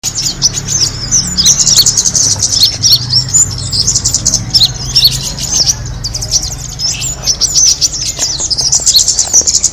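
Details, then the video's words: Kemade birds in a recording used as a lure to attract birds: a dense, continuous chorus of high, thin chirps and short twittering notes from many birds at once, over a faint low hum. "the sound of the kemade bird attracting noise"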